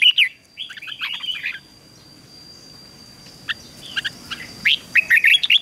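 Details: Red-whiskered bulbul in ché song training: a loud opening note and a rambling, chattering warble, a quiet pause, then fainter sharp notes that build into a quick series of bright whistles, over a thin steady hum.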